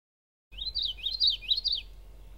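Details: Common yellowthroat filmed in North America singing three quick, rolling high phrases in a row, each a bright rising-and-falling 'witchety', over a faint low rumble.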